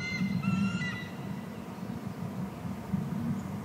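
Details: Eagle calling at the nest while feeding eaglets, with odd talking tones: a few thin, high whistled notes with harmonics in the first second, then only a steady low hum of background noise.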